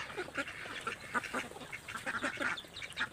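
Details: Several ducks squabbling over food, uttering short, nasal quacks in quick uneven succession, some overlapping, against a soft background hiss.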